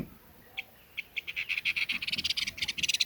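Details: Red-billed leiothrix giving a series of short, sharp high notes that start widely spaced, then quicken into a fast, rattling run by the end.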